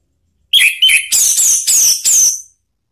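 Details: An Orange-headed thrush sings to prompt another bird to answer: five or six loud, clear whistled phrases, the first low and short, later ones higher and sliding downward.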